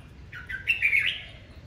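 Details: Morning song of a Red-whiskered bulbul, delivered aggressively in the 'đấu ché' fighting style. A single lively phrase of quick chirped notes runs into a louder warbled whistle that wavers up and down, over a soft low hum.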